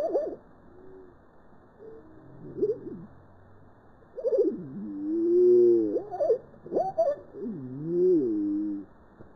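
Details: Crested lark (Galerida cristata) song slowed down, giving a deep, hooting tone: drawn-out whistled phrases swooping up and down with brief pauses over soft background hiss.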